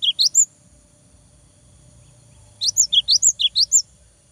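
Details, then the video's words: High, rapid chirping song of a cinereous tit, a brief opening burst followed after a pause by a string of about eight quick slurred notes rising and falling. "GELATIK BATU GACOR BIKIN LAWAN EMOSI !!! LANGSUNG NYAUT !!"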